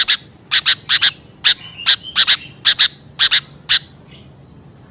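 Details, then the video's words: Lure recording of a sooty-headed bulbul for trapping and training birds: sharp, scratchy chattering notes, often doubled, given about two or three per second, with one soft whistle. "Suara pikat burung kutilang serba bisa! untuk masteran, pancingan, memikat, dengan cepat"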